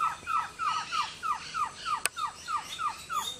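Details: Male Amazonian White-tailed Trogon calling in the morning at a lodge in the Orinoco Delta, Venezuela: a steady run of short, downslurred notes, about three per second, with one sharp click midway.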